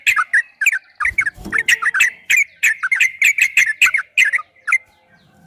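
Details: Yellow-vented bulbul in fast 'ropel' singing for training kept birds: a dense, rhythmic series of bright, bubbling notes, a brief low rustle near one and a half seconds, ending with a short pause.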